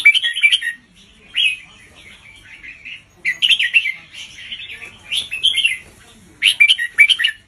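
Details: Red-whiskered bulbul teacher bird performing slow, well-spaced doubled song to tutor young birds; four distinct bursts of lively liquid warbling, each lasting under a second, alternate with near-silent pauses.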